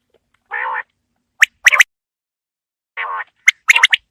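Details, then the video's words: Winter evening quail calling. A buzzy, grating low note alternates with a ringing three-note phrase (one note, then a rapid pair), the pattern given twice with pauses between. "Quail Calling Sound For Winter | Baiter Ki Awaaz Sardiyon Ki Sham K Leya | بٹیر کی آواز سردیوں کیلئے"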